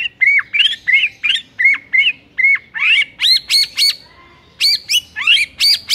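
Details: White-rumped shama repeating short whistled phrases about twice a second, each a sharp note with a dropping slur, turning into loud high double notes.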